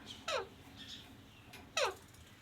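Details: Indoor pet parrot, said to be talking, makes two brief harsh downward-sweeping squawks roughly a second and a half apart in a quiet room.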